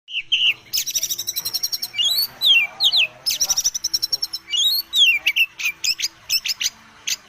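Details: Oriental magpie-robin, a young bird just out of its spotted juvenile plumage, singing a rich, varied song. Rapid trills and buzzy chatter alternate with loud rising and falling whistles, all high-pitched, with a faint low hum behind.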